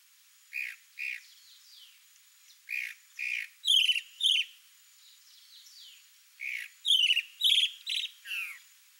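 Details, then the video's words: Sabiá-do-campo male singing while showing off to a female: varied phrases mixing buzzy paired notes, bright sharp whistles and falling slurs in bursts, with short pauses between phrase groups. "CHALK-BROWED MOCKINGBIRD male sings showing off to female (MIMUS SATURNINUS), SABIÁ-DO-CAMPO."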